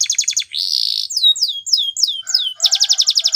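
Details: Training song of a Spanish Timbrado canary, opening with a rapid pulsed trill, then a sustained buzz, a series of clear falling whistled notes and a closing rolling rattle with a faint lower tone beneath.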